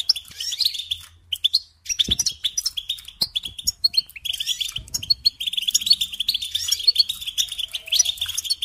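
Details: Training song of a European goldfinch for teaching songbirds: rapid liquid twitters and buzzy chirps, strings of repeated notes building into a steady, nearly unbroken warble, with light clicks and a low background hum.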